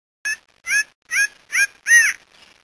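A Mouse-colored Antshrike gives five nasal, arched notes, about two per second, each a little louder than the last. The background is quiet.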